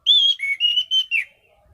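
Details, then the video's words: A single loud phrase from an orange-headed thrush in 'gacor mapan' form, a bird used for competition: about five fluid whistled notes sliding between higher and lower pitches, ending in a short downward slur. No other sounds. "Burung Anis Cendana Gacor mapan"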